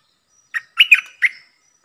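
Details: Streak-eared bulbul decoy bird used to lure wild birds and train young birds, singing a short phrase: one soft chirp, then three quick bright, slurred notes and a final chirp, all mid-high and clear.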